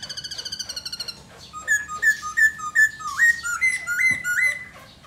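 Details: Singing, dancing Black laughingthrush opens with a quick series of short, evenly spaced notes, then gives clear whistled two-part phrases, a low note jumping to a higher one, repeated several times.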